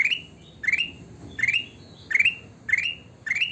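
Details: Sooty-headed bulbul (kutilang emas) singing repeatedly: clear rising whistled notes with a brief trailing tone, spaced roughly every 0.7 seconds, over quiet low background noise.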